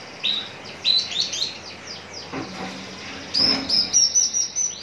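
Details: Javan bush lark, described as ready for contest hanging, at Citra Raya, Cikupa, Tangerang: high thin whistled notes sliding downward, in two bursts separated by a quieter gap, the second burst a rapid run of bright repeated notes.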